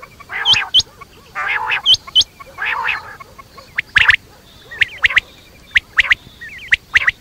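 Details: Quail (batair) calling at night: paired hooked squeaks over harsh, broad squawks, then a run of sharp chirps and short wavy trills, roughly one to two per second.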